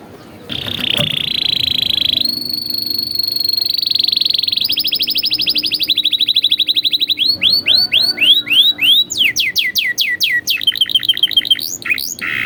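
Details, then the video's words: Atlantic canary training song for young birds: a sustained buzzy roll, a high level trill, then faster and faster series of sharply sweeping whistled notes, ending in choppy rising phrases. "MASTERAN PALING EFEKTIF BURUNG KENARI | COCOK UNTUK MASTERAN KENARI PAUD"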